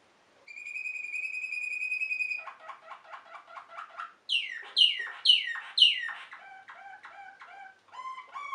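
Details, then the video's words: Waterslager (Malinois) canary singing: a sustained high whistle, then a low pulsed roll, four loud downward-sweeping notes, and finally low bubbling, water-like notes. "Waterslager canary singing Malinois canary"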